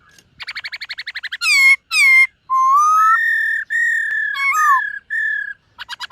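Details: White-cheeked laughingthrush, a caged bird, singing in a morning practice session: rapid stuttered buzzy notes, loud upswept whistles, then long clear level whistles near one pitch, ending in another quick stutter.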